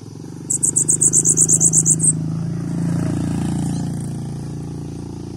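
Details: Bananaquit song: a single quick burst of about twelve high, thin notes, followed by a low rumbling engine sound.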